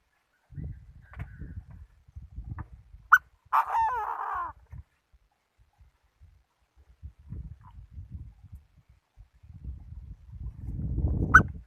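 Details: Chinese francolin kept as a decoy bird: a sharp short note, then a drawn-out harsh, rasping note with falling overtones, amid low rustling and knocking sounds.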